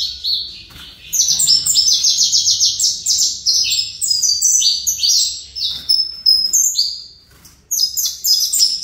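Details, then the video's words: Fibra line saffron finch singing fast, high, rhythmic notes, over three a second, in long phrases with a few short pauses and a quieter start. "Canário Fibra CCM"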